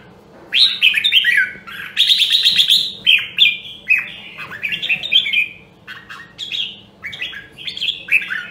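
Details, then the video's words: Voice training of a rare Nam Dong, Hue red-whiskered bulbul: a run of lively whistled phrases with a buzzy trilled stretch early on, then shorter slurred notes that grow softer toward the end. "Luyện giọng Chào Mào Nam Đông Huế Hàng Hiếm Còn Sót Lại ! giọng cực chất"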